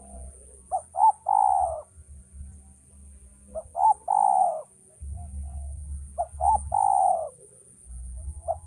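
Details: Male spotted dove cooing: two short clipped notes followed by a long, drawn-out, slightly falling coo, repeated three times at intervals of nearly three seconds over a low background rumble.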